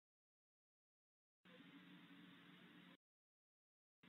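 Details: Silence is broken by a short burst of faint hiss and low hum, then quiet again, with no animal sound.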